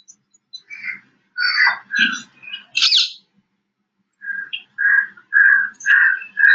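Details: Rose-ringed parakeet in an Indian jungle giving loud, harsh, screechy squawks in two quick bursts, the notes coming roughly twice a second with brief pauses between.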